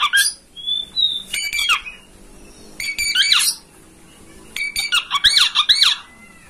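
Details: Kacer, the oriental magpie-robin, in a master song meant to get a home bird to fan its tail and sing. Short separate bursts mix clear rising whistles with scratchy, rattling notes, three outbursts divided by quieter gaps.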